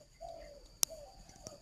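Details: A captive spotted dove in a breeding aviary in Ba Vì, Hanoi, possibly a bird practising its coo, gives two soft, low coos, each a gently falling hum under half a second, with a sharp click between them.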